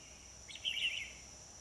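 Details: Bulbul song recorded at a trapping site, Núi đá HB, 25 October 2020: one bright, liquid warbled phrase of several slurred notes lasting about half a second, set against a continuous high-pitched insect whine.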